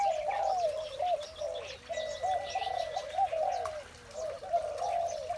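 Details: Morning spotted dove cooing: repeated mellow, warbling low phrases in bursts about a second long. Faint higher chirps from other small birds sound in the background.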